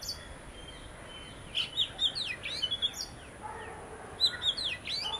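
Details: Oriental magpie-robin, one of a visiting pair, whose song varies by individual and mimics nearby tunes: a quiet start, then clear sweet whistles and sharp down-slurred notes in two short bursts, over faint steady hiss.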